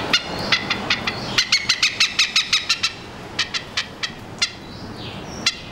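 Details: Oriental Pied Hornbills, a pair on a TV aerial over a house in Singapore, calling alone and together; a burst of harsh cackling notes that slows into spaced single clucks, with a thin whistled phrase near the end, perhaps the Oriental Magpie-Robin singing behind.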